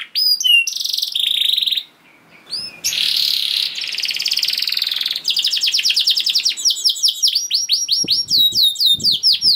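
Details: Canary in long 'gacor' song for luring other canaries to sing: dense buzzy trills and rattling rolls, then quick chirped phrases and clipped high notes, with faint background noise.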